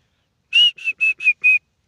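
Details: Grey francolin, a kept bird that later ran away, giving five short clear whistled notes in quick succession, each level and slightly falling at the end, with brief gaps between; no other sounds.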